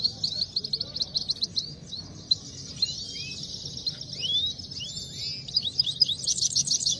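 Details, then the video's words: Saira or Himalayan goldfinch in a singing fight, opening with quick staccato chirps, then a mix of gliding whistled notes and thin twitters, ending in a dense high jangle. "Himalayan Saira gold finch singing fight"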